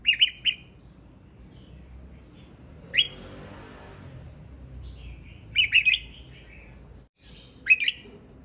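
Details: Male red-whiskered bulbul singing in short, sharp two- and three-note chirped phrases spaced a few seconds apart, with quiet low rumbling between them.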